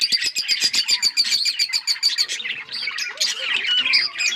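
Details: Flock of Australian pet parrots chattering: rapid rhythmic high chirps at first, about three to four a second, then a jumble of warbling trills and short squeaks from several birds overlapping.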